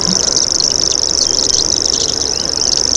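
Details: Short stretch of a common grasshopper warbler's rapid, buzzy, high-pitched reel, loud and unbroken, with scattered chirps of other birds.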